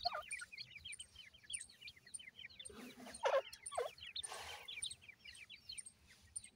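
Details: Francolin chicks in care peep constantly: rapid strings of short, high, falling chirps from several young birds, broken midway by brief noisy bursts and a couple of louder notes.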